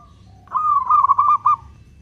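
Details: A single long-beat phrase from a local zebra dove, sung to provoke other doves: quick bubbling coos run together at a steady pitch for about a second, ending in separate notes; soft hum behind.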